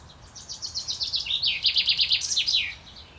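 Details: Male common chaffinch singing in courtship, recorded 28 May 2024: one bright strophe of about fifteen rapid, repeated chipping notes that step down in pitch, speeding up before a short flourish at the end.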